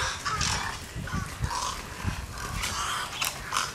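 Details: Egrets at breakfast at a watering hole in J.N. "Ding" Darling National Wildlife Refuge give harsh, hoarse croaks and squawks in quick, irregular bursts, with low thumps and rustling noise underneath.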